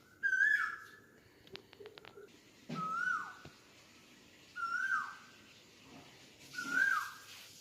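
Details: Asian koel repeating a strong whistled call that swoops downward, four calls at roughly two-second intervals, with scattered clicks and faint background noise between them.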